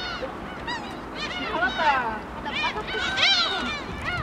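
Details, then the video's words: Many gulls at a feeding spot at Haengdamdo rest area, Dangjin, flock in to take snacks from people. Overlapping harsh, nasal mewing cries and squeals rise and fall, likened to a yelled "ya-", with a steady hum behind. "갈매기 울음소리 the sound of seagulls"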